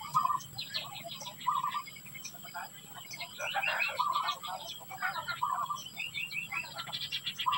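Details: Society finches during hatching activity, with repeated short buzzy chattering notes near the middle of the range and brief higher chips, overlapping in a busy, continuous stream of small-bird calls against a steady background hum.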